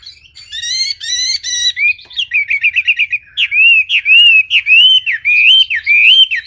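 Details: Wambi bird singing clearly: harsh harmonic buzzy notes open, then a long, lively string of wavering whistled notes repeated nearly twice per second.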